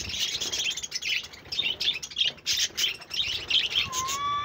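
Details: Pet budgerigars recorded on 1 June 2024, chirping: dense, buzzy warbling chatter in quick bursts, scratchy and high, with a smooth rising whistle near the end.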